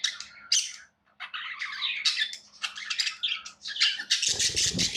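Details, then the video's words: Tamed pet budgerigars chatter in rapid, rasping warbles and squawky chirps with a short silent gap near the start, ending in a loud harsh burst over a low thudding knock. "Budgies Sounds"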